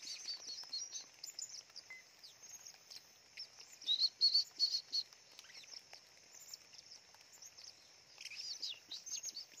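Blue-crowned hanging parrot giving thin, high-pitched chirps and a quick burst of sharp notes midway, over a steady high insect-like hiss of forest background.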